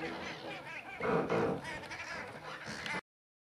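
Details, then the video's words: Common shelducks fighting on Two Tree Island in Essex, giving harsh honking calls in quick succession, loudest around one second in, with overlapping birds before the recording cuts off abruptly. "Shelduck fighting on Two Tree Island - Essex"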